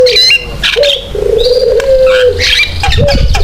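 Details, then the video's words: Javan myna in full active song, used as a lure and model to get other mynas singing: a drawn-out low steady whistled tone with sharp clicks and bright rising whistles above it. "JALAK KEBO GACOR BUAT PANCINGAN DAN MASTERAN JALAK LAIN SUPAYA IKUT BUNYI"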